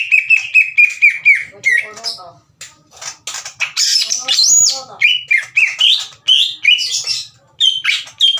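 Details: Aggressive greater green leafbird challenging rival leafbirds to fight, delivering harsh, loud song bursts. Sharp whistles, rasping notes and rapid warbling phrases come in choppy, broken runs separated by brief gaps.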